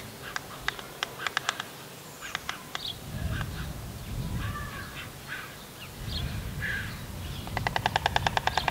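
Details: White stork bill-clattering during courtship display: dry, wooden rattles in short bursts, ending in a fast, even volley of about a dozen clacks, with low wind rumble between.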